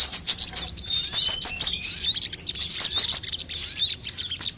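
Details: Sunbirds of various kinds on a lure recording meant to trick birds into singing: rapid, very high thin twittering and sharp chirps with quick up-and-down slurs, packed densely with little pause, plus scattered clicking ticks.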